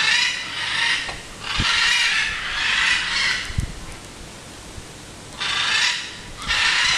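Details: Macaws in an aviary behind a castle give harsh, raspy squawks in about five long bursts, each close to a second, with quiet gaps and faint knocks between them.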